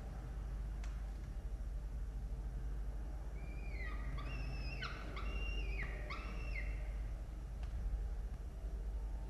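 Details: Peregrine falcon nest in Orange, Australia, during feeding on 18 October 2022, two chicks and two adults present; a short run of high, harmonic whining notes midway, with a few clicks, over steady low hum.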